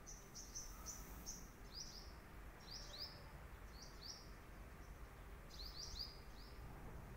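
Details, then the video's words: Hummingbird giving thin, high squeaky chips in short bursts, several every second or two, over a steady low rumble of wind or distant noise. "Hummingbirds sound"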